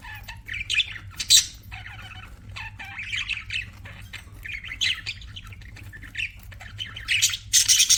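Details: Pet budgerigars chatter with scratchy warbles, short squeaky chirps and a few loud shrill bursts, the last one longest and harshest, over a faint low hum.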